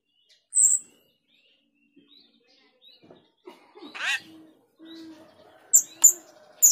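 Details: Female grosbeak starling used to lure birds: an isolated piercing high chip, soft scattered notes, one harsh downward rasp, then three sharp high chips in quick succession.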